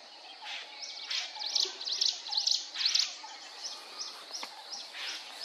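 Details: Jungle prinia singing in the early morning at Rajaji National Park, Uttarakhand, India, in April 2023. A steady run of sharp, high chipping notes, about two each second, over a soft rushing hiss.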